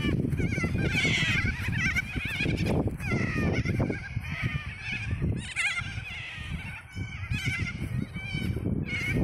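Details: Umbrella cockatoo (Cacatua alba), calls.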